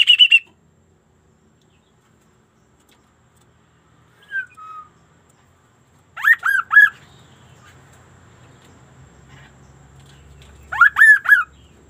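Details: Sunda laughingthrush singing an unusual song: a short high squeak, then two well-spaced bursts of three loud, raspy, down-curving notes. Long quiet gaps separate the bursts, with faint low rumbling in the background.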